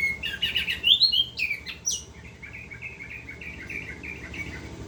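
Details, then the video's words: Orange-headed thrush in continuous ngerol song. Loud, varied whistled phrases with quick upward sweeps come first. They give way to a softer run of short repeated chirps at a quick, uneven pace, over a faint low hum. "Anis kembang gacor ngerol"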